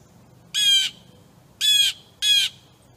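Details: Wild blue jay feeding at suet on August 22, 2015, giving three loud, harsh, nasal squawks, each under half a second, separated by about a second of quiet.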